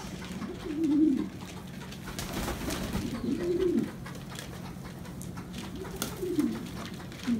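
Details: A French pigeon in Hanoi gives low, throaty rolling coos, repeated every couple of seconds indoors.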